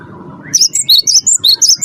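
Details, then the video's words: Lure song of a prize-winning Cinereous tit: a brief rising slur, then a fast string of high whistled notes alternating between two pitches, over a low background hum. "gelatik batu wingko gacor juara satu pancing bunyi gacor"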